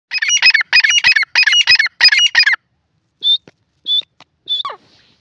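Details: Grey francolin calling loudly: a rapid run of six harsh, grating notes in about two and a half seconds, followed after a pause by three shorter clear whistled notes, the last one sliding downward.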